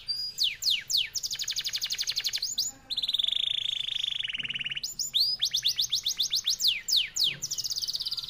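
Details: F1YS canary pouring out a long, fast, clear song: quick downslurred whistles, a rolling buzzy trill held for about two seconds, then renewed rapid sweeping notes.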